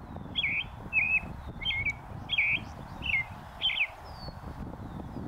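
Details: Caroling song of a leucistic North American robin perched on a post, northern USA oak savanna; six clear warbled phrases, roughly one every half second to second, rising and falling, over low background rumble.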